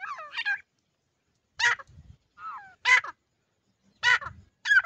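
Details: Grey francolin chicks calling: harsh, broadband rasping bursts about once a second, with thin, descending whistled notes between them and low rustling underneath.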